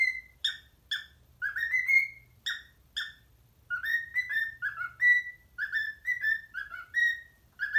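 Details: A parrot whistles an Addams Family remix for its parrot friends: short staccato whistled chirps first, then runs of smooth rising and falling tonal notes, low steady hum in the background.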